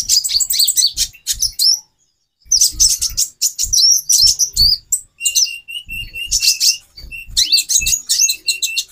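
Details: A female brown-throated sunbird, calling to raise a male's breeding urge, gives shrill twitter bursts, then a series of short, evenly spaced high chirps repeated about twice a second, with soft low thumps.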